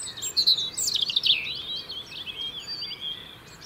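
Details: European robin singing in the UK to hold its winter territory: a rapid, high, warbling phrase of thin whistles and trills that rise and fall, loudest in the first second and a half, then softer twittering notes.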